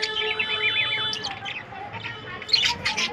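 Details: Budgerigar warbling in a breeding colony of 100 pairs, a rippling run of quick rising and falling chirps, followed by scattered squeaky notes from other birds and a steady faint tone.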